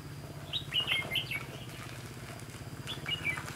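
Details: Red-whiskered bulbul song at a trap site on 18 September 2016. A lively run of quick chirping notes is followed by a shorter second phrase about two seconds later. Low rumbling hum throughout.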